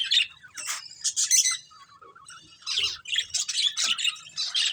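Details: Budgerigars of a breeding pair chirping: bursts of buzzy warbling and sharp tweets, a brief low whistled phrase near the middle, then renewed rapid chatter to the end.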